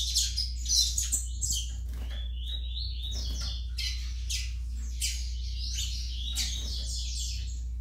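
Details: Song of a juvenile Yellow-bellied Seedeater (coleiro baiano): a long run of varied high chirps, slurred whistles and buzzy trills in irregular, unsettled phrases, with a continuous low background hum.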